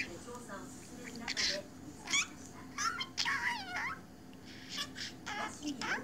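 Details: Budgerigar chattering to itself indoors, with warbling, wavering notes and quick rising and falling squeaks in uneven bursts, over a constant low background hum.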